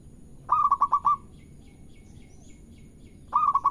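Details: Local zebra dove, a recording used to prompt other doves to sing, giving a rapid burst of five or six soft, rolling coos on an even pitch, then another burst starting near the end over a low background hum.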